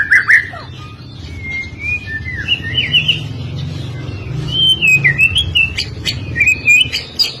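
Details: White-rumped shama singing a training song for birds: a loud opening phrase, then long wavering whistles that climb and fall in pitch, over steady low rumbling noise.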